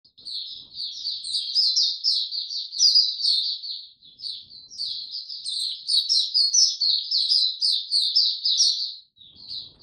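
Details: A white-eye sings two long, rapid bursts of high, jumbled twittering and chirps, each about four seconds with a short pause between, recorded in warm, very humid weather on 26 March 2022.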